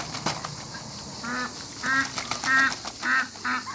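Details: African geese in a backyard alongside other waterbirds, calling a run of strong, buzzy two-toned honks roughly every half second after a short quiet start.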